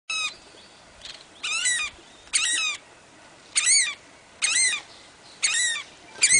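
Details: Saddleback (tieke) filmed on Ulva Island Reserve, Stewart Island, New Zealand; the loud, harsh, chattering bursts roughly once a second are attributed to an oystercatcher nesting about 20 feet away down the beach, over quiet hiss.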